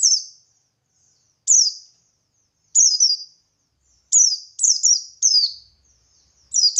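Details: Ngalas song of a buxtoni white-eye, used as a lure so other white-eyes answer: sharp high notes sliding downward, given singly and then in rapid two- and three-note clusters with brief silences between.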